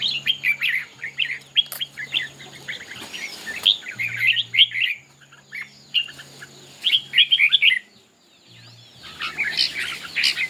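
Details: Red-whiskered bulbuls in a singing contest. Long stretch of energetic, jumbled warbling and chirping in repeated bursts, one brief quiet spell, then renewed bright song. A faint low hum runs throughout.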